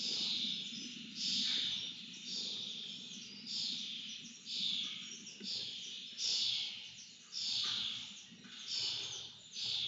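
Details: Feeding time for lesser kestrels, with loud, grating, hissy begging cries coming in regular pulses about every second, each swelling then fading, over faint low background noise.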